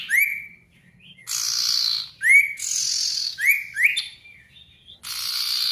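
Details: A sirtu song meant to draw a rival into answering and to make silent birds start singing. Clear rising whistled notes alternate with long harsh, hissing buzzes, repeated several times in a lively pattern.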